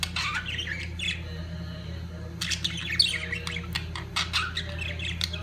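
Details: Budgerigars in their mating peak give a warbled twittering that pauses briefly, then resumes as a denser mix of chirps, clicks and squawks, over a constant low hum.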